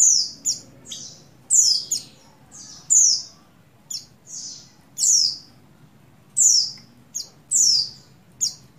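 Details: In breeding condition, a buxtoni Oriental white-eye female calls to a male. Sharp, very high chirps sweep downward, some clipped and brief, others longer, spaced irregularly over quiet low background noise.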